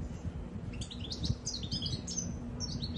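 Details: Short passage of goldfinch twittering, quick high chirps and slurred notes strung together over a steady low electrical hum.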